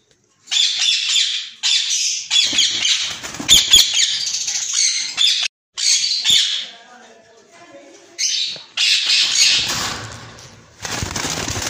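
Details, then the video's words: A pair of white ringneck parakeets held for sale gives repeated harsh screeching bouts, some long, some clipped, with short silences and faint background noise between them. "White ringneck pair"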